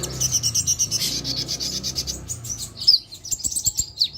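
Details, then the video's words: Sunbird in lively song, used to coax other birds to sing: steady high twittering with a pulsing rhythm, then sharper slurred chirps, over a noisy low background. "KONIN GACOR BUAT PANCINGAN TROTOLAN"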